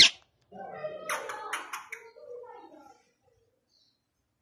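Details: Pet rose-ringed parakeet speaking words in Urdu or Hindi, a short burst of humanlike phrases lasting about two and a half seconds, with a sharp click at the start and quiet afterwards.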